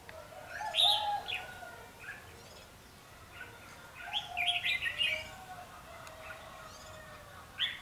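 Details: Red-whiskered bulbul used in trapping with a decoy bird, 14 March 2016; short bright warbled phrases of mid-high whistles come in bursts separated by pauses, with faint other chirps around.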